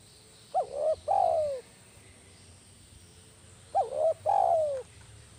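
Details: Spotted dove (tekukur) kept as a lure bird, lively and vocal, in the kuk 1 style: a short rising-falling coo, a brief gap, then a longer sliding-down coo, the phrase given twice about three seconds apart over a faint steady hum.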